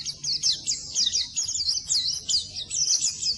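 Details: High, rapid warbling of an Oriental white-eye, played to coax cage birds that have gone quiet into singing. Thin, sharply sliding notes tumble in a dense, unbroken chatter.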